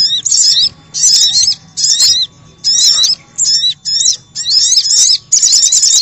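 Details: A sunbird lure recording of noisy calling gives busy, high-pitched twittering bursts, each under a second, in rapid succession with brief pauses between.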